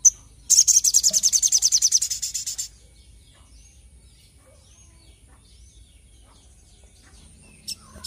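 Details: Crimson Sunbird, known locally as sogok ontong, singing actively: a rapid, very high, even trill of about two seconds of dense repeated notes, then near silence with a faint background hum and one last sharp note.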